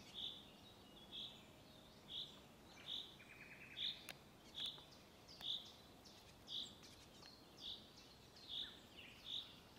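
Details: Great spotted woodpecker (Dendrocopos major) at Hauptmanca, Ljubljana Marsh, Slovenia, on 20 April 2024, giving sharp, high 'kik' notes about once a second, eleven in all, with faint calls of other birds behind.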